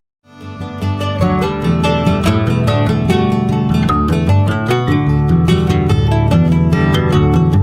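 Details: Plucked acoustic guitar music strums steadily throughout, with no animal sounds.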